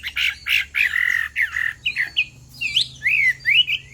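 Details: Female Chinese hwamei goading a male into song: loud, slightly harsh notes give way to clear looping whistles that rise and fall quickly, delivered in short, evenly spaced bursts.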